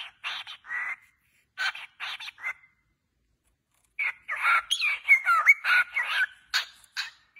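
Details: Cockatiels in a happy singing session. Short scratchy chirps and a brief whistle open, then after a silent gap comes a dense stretch of buzzy chatter with twisting, slurred whistles woven through it.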